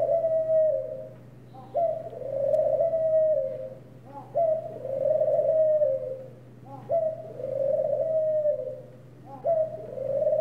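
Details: Rhythmic ring dove calls. Each starts with a brief upward hiccup note and flows into a sustained, mellow, purring coo of about two seconds. Four phrases follow one another at a regular pace over a constant low electrical hum.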